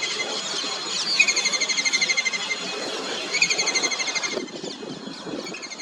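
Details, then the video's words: Kingfisher calling: two runs of quick, high, rattling pulsed notes, each lasting about a second and fading slightly, over steady broad background noise. "Kingfisher sound"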